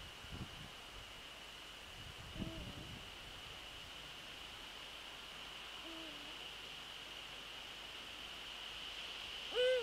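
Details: Eurasian eagle-owl at its nest on the evening of 27 December 2013, calling repeatedly: two deep, short hoots about four seconds apart, each dropping slightly, then a sudden loud rising harmonic call at the end, with faint knocks and a constant high whine.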